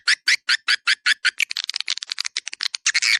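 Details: 'Dua Bidadari' swiftlet calling sound for luring swiftlets: a short string of about eight separate harsh chirps, then faster, overlapping twittering notes crowding together toward the end.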